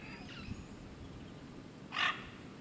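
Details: A great green macaw at Tortuguero gives a single harsh, raspy squawk, loud and brief, over a soft background hum of the forest.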